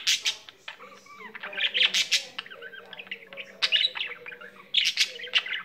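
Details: Pet budgerigar singing without stopping: bursts of sharp clicks alternate with curling whistled notes and soft warbles in a lively, irregular stream.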